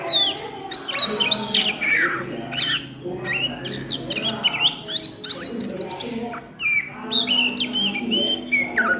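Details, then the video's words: Ngriwik-style song of an Oriental magpie-robin at midday: dense bursts of quick whistles and steep downslurred notes, broken by short pauses, over a faint low background hum. "SUARA KACER NGRIWIK DISIANG HARI"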